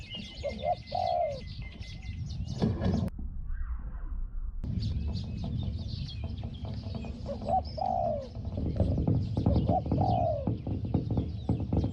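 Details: Spotted dove at a decoy luring session, small 'hong hong' voice. A few scattered low coo phrases, a falling coo near the start and more later, broken by a loud clatter and a quiet gap, with birds chirping behind.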